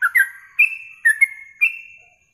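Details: Yellow-vented bulbul in a training recording for contest birds, meant for morning and evening tests: a short bubbly phrase of five chirped notes, each sliding into a sustained whistled tone, with the last note fading out.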